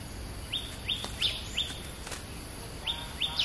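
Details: Caged stripe-throated bulbul kept as a trapping decoy, in a newly tried decoy cage, giving sharp, high downslurred notes in quick series, then a pause and two more, over steady low background noise.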